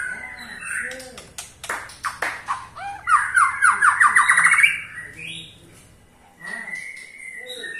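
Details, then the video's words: Ketrekan from a white-rumped shama, meant to trigger song in other shamas. Sharp clicks and ticks build into a rising rattle of about ten quick repeated notes, followed by softer whistles. "KETREKAN SAKTI!! || MURAI BATU MANAPUN PASTI TIDA MAU DIAM IKUT GACOR"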